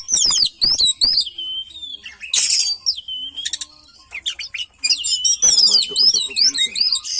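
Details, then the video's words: Oriental magpie-robin delivering lively song of rapid wavering high whistles, a long sliding whistle and rough scratchy bursts, with clicking sounds between phrases; other magpie-robins are said to join in. "Nakal bikin kacer lain ikut GACOR‼️"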